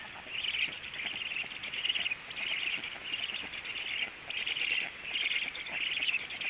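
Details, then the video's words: Black stork at the nest at 14:45 as the male comes home and feeding takes place; dense raspy chirping bursts in a narrow high band, repeated roughly every second with short gaps, over a steady background hiss. "14h45m melnais starkis Male came home Feeding"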